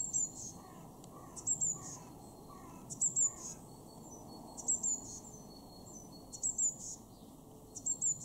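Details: Garden recording, Weener, East Frisia, Germany, February 2023: Eurasian blue tit repeating high, thin two-note calls about every one and a half seconds, six phrases in all, over low steady background noise.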